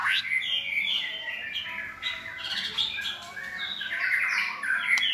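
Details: White-rumped shama song from tutor birds used to teach a selected shama a richer, clear repertoire; dense overlapping whistles and warbles with slurred, rising notes throughout.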